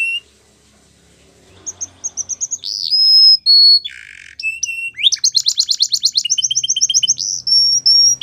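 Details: Male canary song after a quiet start: clipped whistles, sustained pure notes, a low buzzy burst, then a rapid rolling trill and level whistled notes, faint hum underneath.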